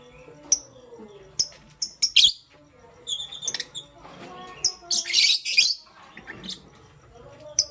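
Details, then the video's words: Morning lovebird chatter from pastel gray and green color birds: scattered shrill, buzzy chirps and squeaks, irregular, with a dense noisy burst midway and softer low murmurs underneath. "Pastel Gray LoveBird Chirping Sound"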